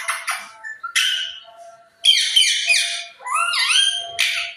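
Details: Pet parrot giving a run of whistled and squawky notes, some sliding upward, with short bursts separated by brief pauses and a faint steady tone underneath.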